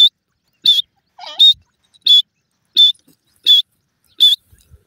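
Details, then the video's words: Francolin call: loud, harsh, scratchy notes repeated steadily about every 0.7 seconds, seven bursts in all, with a softer squeaky note tucked between two of them, against an otherwise quiet background. "sindhi teetar ki awaz"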